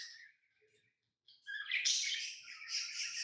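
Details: A thin, high lovebird call fades out, and after about a second of silence loud, shrill chattering chirps burst in and continue to the end.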